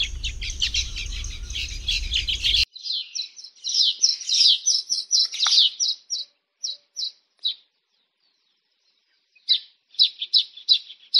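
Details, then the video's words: Baya weaver in its tropical nesting habitat: a busy chatter, then short sharp high chirps in quick bursts of several notes, a pause of about two seconds, and another burst. "The Baya Weaver’s Amazing Nests | Tropical Birdlife Sounds"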